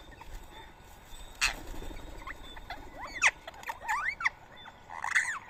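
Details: Rose-ringed parakeets at a morning feeding spot in Coimbatore, India, 31 March 2024, eating soaked boiled rice; sharp arched screeches and squeaky chirps come in clusters, loudest in the second half, over faint background hum.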